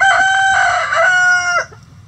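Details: Rooster in a coop housing a mixed flock of egg-laying chicken breeds crows loudly, one long, strained, slightly wavering note held about one and a half seconds, then drops off, with low hum behind.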